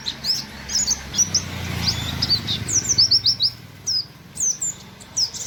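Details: Pleci buxtoni white-eye singing 'wit wit sejalur' in nembak style: scattered high, thin downslurred whistles over steady low background noise, with a brief run of quick notes in the middle.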